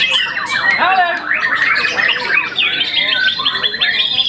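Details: Once-moulted young white-rumped shama, a contest winner, sings gurgling warbles and downward whistled notes, then a run of rapid evenly spaced chips near the end.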